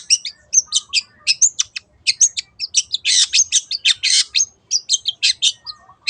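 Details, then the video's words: Long-tailed shrike singing 'teot teot' as a lure for other songbirds: brisk, high, scratchy notes in quick succession, swelling into a loud rasping stretch around the middle before returning to clipped chatter. "SUARA BURUNG CENDET TEOT TEOT pancingan AGAR BURUNG MANAPUN IKUT GACOR"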